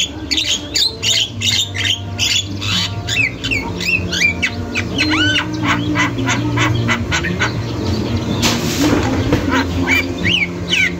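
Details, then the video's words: Javan myna in nonstop singing, recorded as a master track for training other songbirds: a rapid stream of harsh broadband notes mixed with loud curving whistles, some rising, some swooping, over a steady low hum and a brief noisy burst near the end. "JALAK KEBO GACOR | ga berhenti bunyi, jalak lain pasti nyaut"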